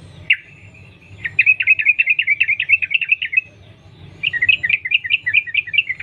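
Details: Trucukan (sooty-headed bulbul) in the wild, sung as a lure for other bulbuls: one sharp note, then a long even run of rapid trilled notes, a brief gap, and a bouncier repeated phrase; steady low hum.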